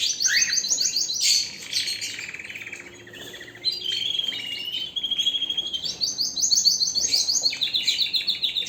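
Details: Strong canary song alternating fast high trills of repeated notes with lower rolling warbles and a brief quieter pause, then renewed rapid trilling.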